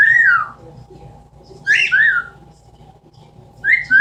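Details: Pet Amazon parrot indoors, one of two kept birds, imitating sounds: three loud descending whistled notes spaced over four seconds, with quiet room hum between them.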